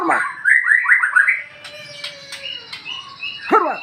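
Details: Lure song from a home-kept magpie-robin in the morning: a fast run of bright rising chirps, then a long thin steady whistle, scattered clear notes and a final burst of sharp sweeping calls.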